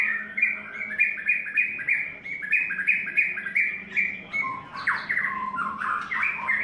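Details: White-rumped shama in its 3rd molt sings a fast run of repeated chattering notes, then breaks into richer, lower whistled phrases, over a faint indoor hum.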